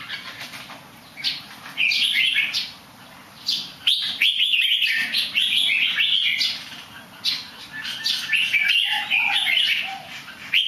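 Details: Fine-singing bird with a habit of small somersaults: long run of quick, bubbling whistled phrases rising and falling, with a couple of pauses and a softer lower note near the end.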